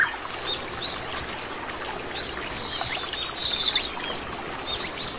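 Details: Oriental greenfinch, a common resident bird in Korea: faint high twittering, then one loud sliding whistle followed by a short buzzy trill, with further soft notes over a continuous watery rushing noise.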